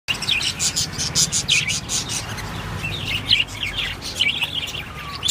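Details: Pet budgerigars eating corn for breakfast chatter with quick, high chirps and scratchy warbles that overlap almost without pause.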